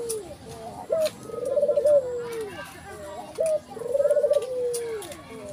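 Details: Two repeated low coos from a white ivory collared dove with a black collar, each opening with a sharp short note and drawn into a trembling falling phrase, faint voices behind.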